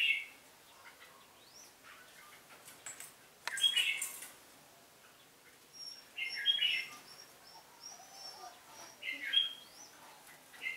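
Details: Contest singing by a red-whiskered bulbul: short bright chirping phrases repeated every few seconds against a quiet background hiss.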